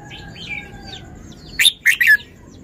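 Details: Red-whiskered bulbul showing its song style: soft sliding whistles from other birds at first, then one loud, quick phrase of three bright chirpy notes.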